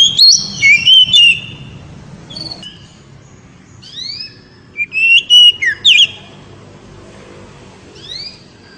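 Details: Kacer, the oriental magpie-robin, giving its loud song to excite a female: a burst of bright whistled notes at the start, quiet gaps with upward-sweeping whistles, and another rapid run of sharp, clear phrases midway.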